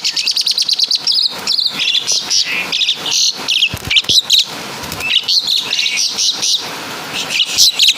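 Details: Javanese Asian pied starling delivering a full kapas tembak and caladi imitation: rapid bursts of shrill, high twittering notes, tightly packed and near-continuous across the whole stretch.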